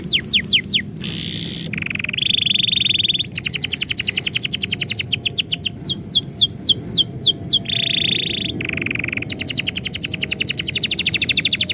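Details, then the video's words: A canary sings as its keeper prepares to go out, linking varied phrases: falling whistled sweeps, harsh buzzy bursts, rapid rattling trills and sharp repeated chips in a continuous, lively stream. "kenari bunyi ketika yang punya mau pergi"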